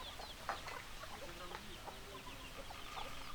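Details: Hens clucking, quick soft clucks and short squawks overlapping, one sharper cluck near the start above a low murmur.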